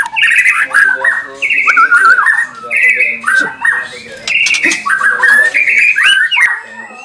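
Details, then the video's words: Caged white-rumped shama at a bird farm in Anyer, Banten, singing to provoke rival birds: loud, rich whistled phrases with slurred and rising notes, repeated in bursts about every second, with faint voices in the background. "SUARA MURAI BATU INI, BIKIN LAWANNYA LANGSUNG BEREAKSI"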